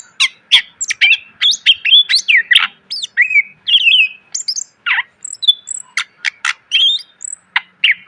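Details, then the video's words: Greater green leafbird in full, varied song used as a training recording for cage birds: rapid run of sharp chirps, slurred whistles and rising-falling notes packed densely, with a faint steady hum underneath. "MASTERAN CUCAK IJO SUARA PLONG!!! ..penuh isian.."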